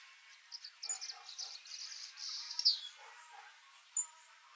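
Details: Swallow-tailed hummingbird (Eupetomena macroura) tending its chick in the wild gives thin, very high squeaky chips in a quick, uneven run lasting about two seconds, then a lone sharp tick.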